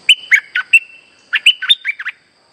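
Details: Streak-eared bulbul lure call for trapping: two quick bursts of chattering, slurred chirps, the second longer with rising and falling notes, against a quiet background with a faint high hum.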